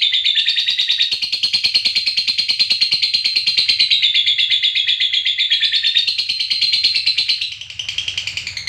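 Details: Fighter-type lovebird giving a long ngekek, used as a lure to make other lovebirds sing. It is a loud, high, buzzy trill of rapid pulses held for about seven and a half seconds, then breaks into shorter chattering notes.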